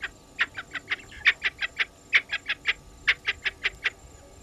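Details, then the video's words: Spurfowls at Gowrie dam waterhole in Djuma Game Reserve, Sabi Sand Wildtuin, South Africa, late afternoon 10 July 2021, recorded by a live waterhole camera; loud grating cackles, about fifteen evenly spaced harsh notes in four seconds, with a low hum behind. "Djuma: Spurfowls"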